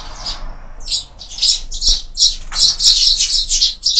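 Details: Loud, close sparrows at a window feeder produce rapid, harsh squawking chirps, nearly continuous and pulsing several times a second.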